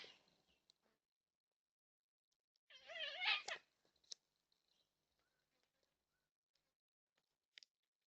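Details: One of four yellow-tailed black cockatoos at a backyard bird feeder in NSW, Australia, caught on a security camera, gives a single drawn-out, wavering, almost meowing wail under a second long; otherwise near silence with faint clicks.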